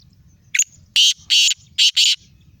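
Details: Black francolin calling in Sindh, Pakistan: a short note followed by loud, harsh, grating bursts in two paired groups, over a low murmur of background noise.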